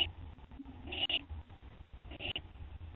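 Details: Owl eating a gopher from its partner at 2:56 AM, 10 September 2011; two brief, breathy screech-hisses about a second apart, a low hum running throughout.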